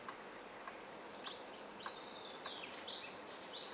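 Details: A flock ('charm') of European goldfinches feeding at a nyjer seed feeding station in a blizzard gives bright, tinkling, high twittering notes in quick, irregular bursts over a steady hiss of wind.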